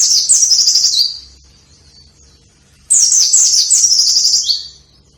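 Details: White-eye, used to coax lazy white-eyes into singing, delivering two bursts of high, rapid twittering phrases with sliding, descending notes, the second longer and ending on a lower slurred note, separated by a quiet pause.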